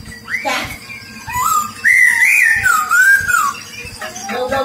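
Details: Silver-eared laughingthrush, a lure bird kept for trapping, sings clear whistled phrases that slide up and down in a long wavering run, preceded by shorter rising notes, while people talk and clatter in the background.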